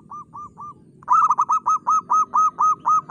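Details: A local zebra dove, singing keenly with a crystal voice, starts with three soft coos, then delivers a loud, even run of about nine ringing, arched notes, roughly two per second.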